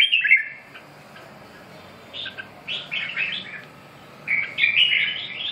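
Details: Red-whiskered bulbul song: an opening warbled whistle, then a series of short, separate chirpy notes, ending in a longer bubbling, rolling phrase; quiet background hum throughout.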